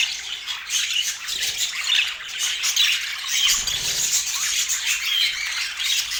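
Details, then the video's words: Several colourful budgerigars feeding on apple chatter nonstop, a busy mix of scratchy squawks and short high chirps with a faint low rumble in the middle. "Relaxing Budgie Sounds"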